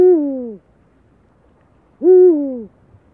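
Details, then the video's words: Eurasian eagle-owl giving two deep, drawn-out hoots that slide downward, each lasting about half a second, spaced roughly two seconds apart, in a quiet setting. "Eurasian Eagle Owl"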